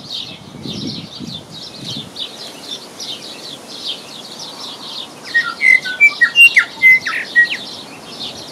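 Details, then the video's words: A New Zealand bellbird in Southland, New Zealand, gives about eight clear, bell-like chiming notes in a quick run at the end. Before it, busy high chirping and peeping come from a mother hen raising ducklings. "Bellbird chimes at the end."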